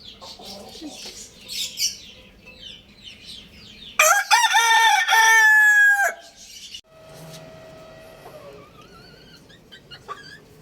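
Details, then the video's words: Lohmann Brown rooster crowing: one loud, harmonic, strained crow lasting about two seconds midway, preceded by faint scattered chirps and clucks, then followed by quieter drawn-out calls and thin high notes. "Adorable Rooster Crowing Sounds | Amazing Rooster Crowing Loudly"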